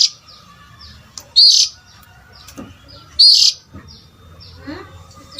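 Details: Oriental magpie-robin call for luring adult birds: three loud, harsh, buzzy bursts with rising whistled onsets, nearly two seconds apart, separated by soft chirps from other birds and a low hum.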